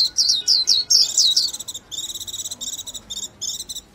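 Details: Quick wavering whistles from a Japanese white-eye run into a long series of evenly pulsed, high buzzy trill notes.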